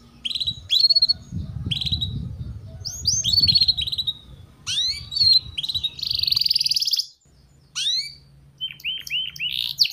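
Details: Canary song played to tutor young canaries: scattered high chirps, short sweeping notes and a buzzy burst, over a low background hum and rumble, with a brief near-silent gap.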